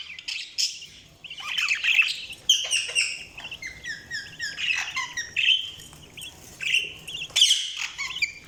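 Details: Chirping budgies giving rapid, scratchy warbles and squeaks in irregular bursts about a second apart, with a few sharper high chirps.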